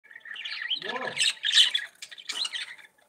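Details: Budgerigars warbling: dense chattering trills and squeaky notes, with a short run of lower, falling harmonic notes near the middle, then fading after almost three seconds.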